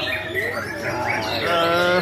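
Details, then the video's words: A tame white-rumped shama at a bird contest, which sings whenever a judge walks past: bright whistled phrases ending in a steady clear note, over other chirping birds and faint voices. "Murai Batu Jinak || Nembak Setiap Juri Lewat"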